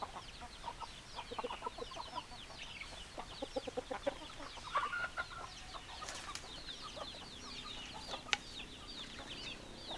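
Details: A group of chickens produce continuous overlapping short high notes and mid-pitched clucks, with a few sharp clicks and a brief louder call in the middle.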